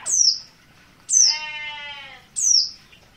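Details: Oriental white-eye from Merapi, an untrained 'bahan' bird, giving insistent 'ngotot' calls: three sharp, very high, downward-sliding notes about a second apart. A long, low, bleating harmonic sound follows the second note.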